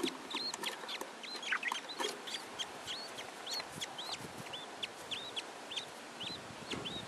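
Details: Pet budgerigar with its three chicks: short, hooked chirps rising then dropping, repeated steadily about twice a second over soft clicks and rustling.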